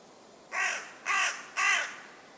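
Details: Three harsh, throaty croaks from a common raven sitting in a tree in a wood in West Sussex, England, each call short and rough, delivered at a steady pace.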